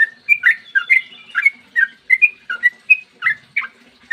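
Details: Rapid bubbly whistles from a sooty-headed bulbul delivering long 'ropel' song in the morning as bait for other bulbuls; slurred notes repeated steadily about three per second, each rising or falling, light hum underneath.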